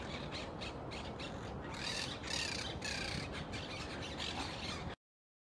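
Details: Crested myna (Acridotheres cristatellus), one of several perched birds, gives harsh, grating squawks in quick runs of broad noisy bursts over low rumble; Quequén River bank path, Necochea, Buenos Aires, Argentina, 13 July 2021.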